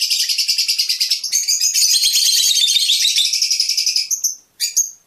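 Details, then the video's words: Rapid, continuous high-pitched chattering from a Fischer's lovebird singing to encourage mating, pulsing steadily for four seconds before two short sharp chirps close it. "أجمل تغريد لطيور الفيشر"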